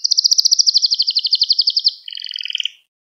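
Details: Canary song recorded as a training lesson for young canaries: a fast, even trill of bright pulsed notes running about two seconds, then a lower, buzzier double trill that breaks off cleanly into silence.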